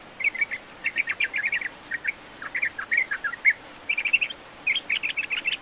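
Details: Sooty-headed bulbul in full, steady song, used as a lure to coax a lazy bird into singing: bursts of quick, bubbly chattering notes in short clusters separated by brief pauses, over faint background hiss.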